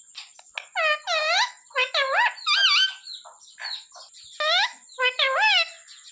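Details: Talking pet parrot imitating human speech, calling mummy and asking for roti: clear harmonic, speech-like syllables with bending pitch in several phrases separated by short gaps. A person's voice says hey mommy, over a constant thin high tone.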